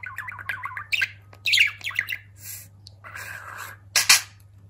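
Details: Talking pet budgerigar indoors, with quick runs of bubbling chirps and scratchy squawks, a longer hissing buzz near the end, and a steady low hum beneath.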